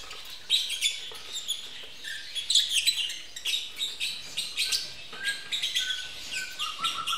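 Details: Captive lovebirds mating in a breeding facility give rapid, scratchy high-pitched chatter, about one burst every second or two, with fainter thin whistled notes mixed in.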